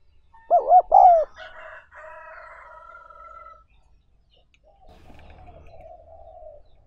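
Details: Spotted dove calling, in a recording meant for training newly caught wild birds as decoys. One strong, wavering double coo opens the clip. Fainter, drawn-out tonal calls and a low rumble follow.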